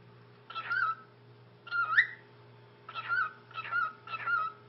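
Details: A 9-year-old male pet cockatiel says "ni hao" (hello) in a short, whistly phrase five times, about once a second, over a faint steady indoor hum.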